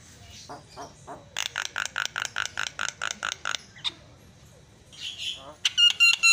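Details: Javan myna (jalak kebo) song for provoking other mynas: soft rasping, then a steady train of loud, buzzy, evenly spaced notes, followed by a squeal and sharp metallic chips.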